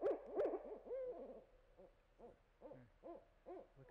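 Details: Barred owl calling: two strong hoots and a drawn-out gliding note, then a quieter run of short rising-and-falling hoots at about three per second.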